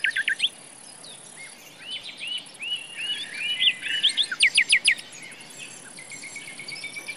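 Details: Common nightingale song in a forest: a varied run of slurred whistles and chirps, building to a short burst of loud sharp notes, then fading to quieter phrases amid steady hiss.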